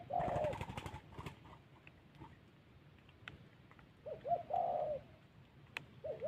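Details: Spotted dove in the wild highlands of Vietnam's Central Highlands, used in decoy trapping; a thổ-style bout of short warbling coos at the start and again near four seconds, faint against a murky rustling background with scattered clicks.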